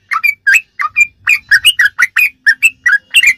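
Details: Sooty-headed bulbul singing in the ropelan style, a recording used to tutor captive songbirds: short, bright chirped notes, alternating lower and higher, fired in quick irregular bursts with brief gaps.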